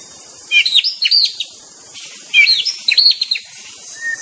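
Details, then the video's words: Wild white-rumped shama delivering two loud, varied song phrases of bright whistles and quick slurred notes about two seconds apart, with a constant high insect hum behind. "TERAPI BURUNG MURAI DI ALAM LIAR"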